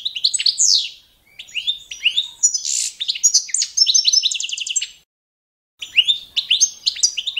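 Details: Competition-standard training song of the Balkan goldfinch, Carduelis carduelis balcanica: a long run of fast, varied twitters, buzzy rattles and a rapid repeated trill, a brief pause, then another lively twittering phrase in clean quiet.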